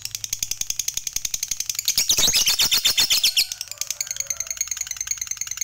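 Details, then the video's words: Fighter lovebird in long 'ngekek' chatter, used to provoke other lovebirds into singing: a fast run of high, buzzy repeated notes about four per second, louder and denser in the middle, then thinning toward the end. "Dengar Fighternya Bisa Buat Lovebirdmu GACOR Rajin Ngekek Panjang"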